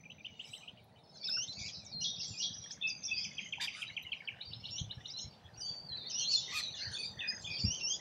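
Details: Several rainbow lorikeets feeding in Australia give a steady stream of high, scratchy squeaks and screeches. It begins quiet and then builds into continuous chatter, with light background noise.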